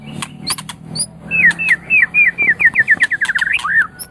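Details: White-rumped shama in song, used as a tutor recording for songbirds: a few high ticks, then a quick rolling sequence of short whistled notes, each dipping in pitch, ending on a rising-falling whistle.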